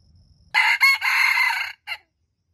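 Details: Red junglefowl crowing, one loud harsh crow with a short gap and a brief final note, rich in overtones, in a quiet setting after faint low rumble.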